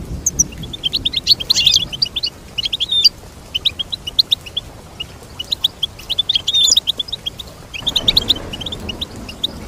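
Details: Goldfinch twittering in separate phrases, each a quick tumble of high chirps, divided by short silences, with faint background noise late on.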